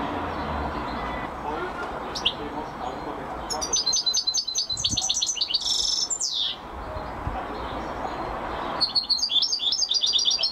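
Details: European goldfinch champion song, with a burst of fast, jingling twitters and a rising, sweeping note, a pause, then more rapid high trills over background hiss.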